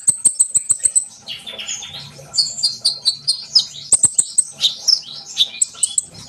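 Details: Sunbird singing energetically to get trainee birds singing too: a quick run of very high ticking notes, then warbled twitters and thin whistled phrases, ending in more fast ticks.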